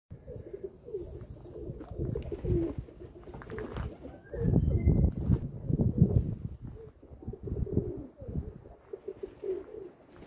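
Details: Domestic pigeons, kept as a group, giving low, rolling coos in bursts at the start and end, against a heavy rumble of low background noise and scuffling.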